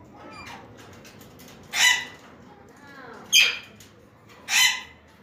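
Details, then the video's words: At a gathering of Alexandrine parakeets, three loud, raspy squawks ring out roughly every one and a half seconds over low background chatter. "BEAUTIFUL PARROTS GATHERING"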